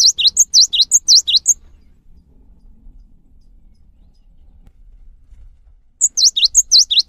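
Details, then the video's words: Brisk high-pitched song of a cinereous tit, meant to spur other tits into singing. It opens with a burst of repeated swooping double notes, then a stretch of faint low background rumble, and then the sharp whistled phrases resume. "PANCINGAN GELATIK BATU | GELATIK BATU LANGSUNG GACOR SETELAH MENDENGAR INI"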